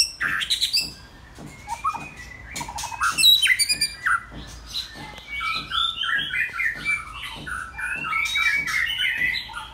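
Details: Captive white-rumped shama delivering a varied song of whistles, rapid chattering phrases and harsh squeaky notes, with steady clicking taps in the background.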